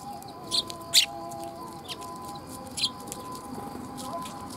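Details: Several sparrows coming to be fed at a Tenmangu shrine on 3 October 2021, giving short sharp chirps at irregular intervals over a steady background hum.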